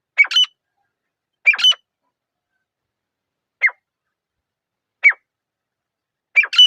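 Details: Sparse, high, sharp notes from a grey francolin in a quiet forest. Two-part phrases come at the start, single clipped notes follow every second or so, and a double phrase closes the sequence.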